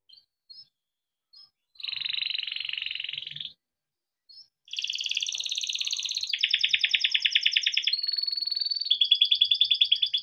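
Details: A captive-raised yellow canary sings a long song of high runs of rapid rolled trills and buzzy tours after a few soft chips, each phrase switching to a new repeated note.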